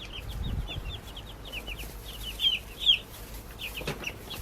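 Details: Baby chickens peeping in rapid, slightly downslurred high chirps, more than two a second, with a couple of louder sharper notes near the middle.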